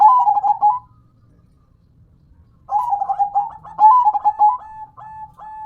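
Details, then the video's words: Zebra dove song from a local perkutut: rolling pulsed coos in phrases, the later ones running together and ending in several evenly spaced single notes. "Dengar Dan Rasakan Manggungnya, Suara Serta iramanya BIKIN CANDU"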